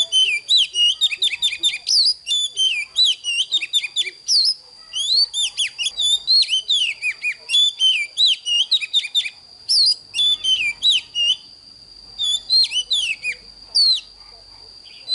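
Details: Oriental magpie-robin morning song, used to train young birds to sing well: rich, varied whistled phrases, sweeping and slurred notes in quick bursts with brief pauses, over a steady high whine throughout.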